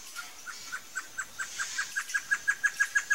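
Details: Great antshrike (choró-boi), a red-eyed antbird-family bird of dense low scrub, clearings and forest edges, usually living in pairs. A series of about seventeen short hooting notes speeds up steadily and grows louder toward the end.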